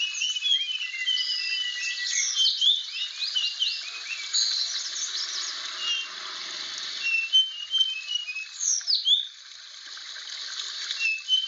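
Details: Rare blue flycatcher from Aceh sings bursts of rapid whistled notes and quick high slurs, pausing mid-way, then resuming with brief sweet phrases amid steady hiss.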